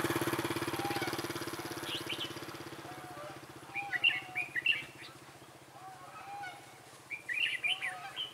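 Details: Red-whiskered bulbul used as a trainee decoy to lure wild birds into a trap, recorded 11 December 2016: short bursts of bright, warbling notes at intervals over a steady low engine hum, with softer lower whistles between.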